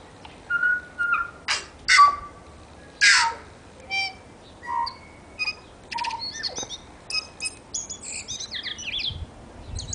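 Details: A tui sings in a suburban back garden in New Zealand, giving a varied run of clear whistles, sharp clicks and wheezy, buzzy bursts, with high tinkling notes between.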